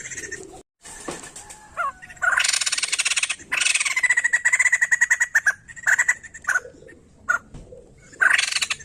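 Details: White-crested laughingthrush singing to stimulate other songbirds: loud, harsh, chattering bursts mixed with fast runs of repeated mid-pitched notes, broken by short pauses and softer low sounds.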